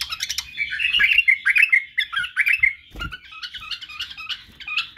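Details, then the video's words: Badrawi, or white-eared, bulbul song used as a teaching model for chicks learning song, barwaz and wing-clicking; rapid, jumbled warbling notes repeated quickly, with a soft knock around the middle. "لتخريج وتعليم افراخ البلابل على التغريد و البرواز وطك الجناح بلبل بدراوي"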